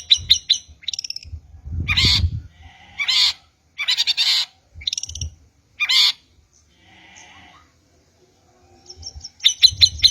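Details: Long-tailed shrike lure and training song: bursts of harsh, buzzy chatter and sharp high chips separated by short silences, with low thumping sounds beneath some phrases.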